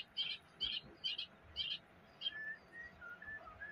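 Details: Wild White-rumped Shama in Taiwan singing actively from about 3 meters away: four quick bright double-note bursts, then a run of clear, level whistled notes at lower pitch, spaced roughly every quarter second, over a soft background hiss.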